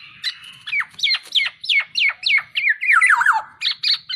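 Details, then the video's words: Black-naped oriole heard in a training recording, delivering about three loud, scratchy downslurred notes per second, each sweeping from high to mid pitch, ending in a wavering squeal and brief high chips. "MASTERAN BURUNG KEPODANG"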